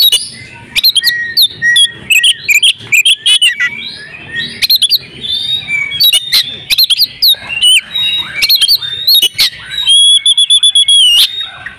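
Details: Oriental magpie-robin female ready to breed, used to coax silent males into song: busy chattering mix of whistles and harsh notes, sharp ticks, then a sustained pure whistle near the end.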